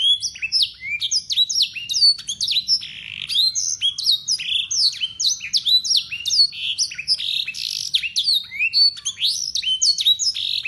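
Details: Yorkshire canary, local bird kept as a tutor for young canaries, delivering a continuous bright song of blackthroat-style phrases: fast downward-sweeping whistles and chattering notes in quick succession, very clean with no other sounds.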